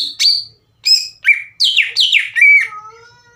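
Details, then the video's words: Greater green leafbird singing as a provoking lure: a short run of loud, downward-slurred whistled notes in quick succession, ending with a drawn-out fading tone. "PANCINGAN CUCAK IJO GACOR CEPAT MENAIKAN EMOSI CUCAK IJO LAIN"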